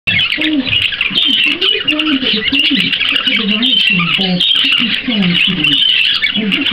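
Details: A 50-day-old budgerigar chick chatters in a fast, scratchy warble of high chirps and squeaks.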